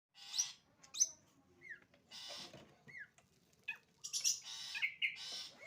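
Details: Long-tailed shrike song in a sparse sequence: harsh broadband bursts alternating with short downslurred whistles, separated by pauses of about half a second to a second.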